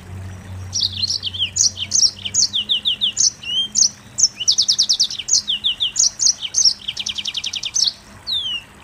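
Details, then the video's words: Rapid high twittering from a Mozambique canary in 'nembak rapat' style, with two fast buzzy trills late on and a final falling whistle; a faint low hum at the start. "Burung Mozambik Nembak Rapat"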